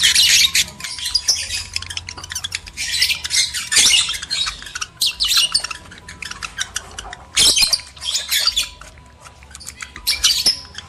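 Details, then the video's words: Lovebirds, males and females, in a mating lure recording: bursts of harsh, high squawking chatter separated by short pauses, with scattered sharp clicks between the outbursts. "PANCINGAN JEBOL BIRAHI BUNYI, BIKIN EMOSI LOVEBIRD JANTAN DAN BETINA"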